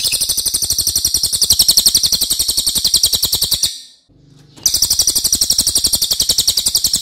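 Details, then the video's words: Loud, long song of a racket-tailed treepie used to tutor other songbirds: a shrill, rapidly pulsing string of high notes running nearly four seconds, a short break, then the chattering resumes. "MASTERAN CILILIN OKE BANGET"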